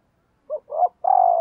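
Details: A spotted dove used as a decoy gives a morning coo to call wild birds: one short note, a rising hoarse note, then a sustained vibrating coo that drops slightly at the close.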